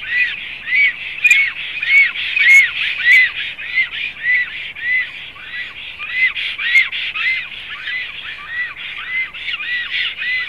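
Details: At a Latvian black stork nest in Zemgale on 7 April 2016, arched whistled notes repeat in a long steady series that softens toward the end, with occasional brief high ticks.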